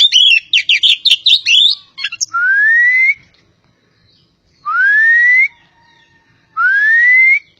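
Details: Oriental magpie-robin of the kacer poci form from Java: a quick burst of chattering notes, then three long, clear whistles that slide upward, separated by short silences.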